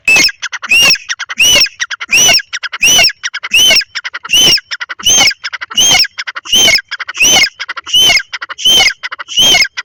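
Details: Grey francolin pair calling in a field during breeding season: loud, harsh, strident notes repeated steadily about every 0.7 seconds, each with a rising-falling ring, interleaved with softer clicking notes.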